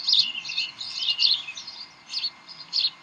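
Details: Decorah bald eagles at the nest in the evening of 18 May 2012, tugging and playing: quick, high, chattering chirps run together, then two separate sharp peeps after a short pause.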